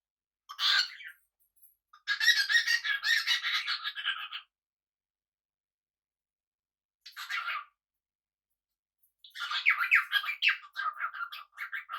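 Budgerigar chatter in bursts of rapid, scratchy warbles and squawks, separated by short silences.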